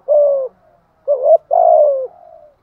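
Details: Mellow low coos of a spotted dove in the giọng thổ style, a long level-then-falling note, a brief rising double note, then another long sliding coo fading out softly.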